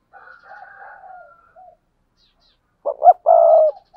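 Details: Spotted dove paired cooing: a soft, faint, wavering two-toned coo first, then after a pause a loud phrase of two clipped hoots and a long hoarse coo.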